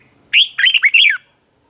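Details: Red-whiskered bulbul morning fighting song for training birds: a single bright phrase of four rapid slurred whistles, ending in a falling note, with no other sounds.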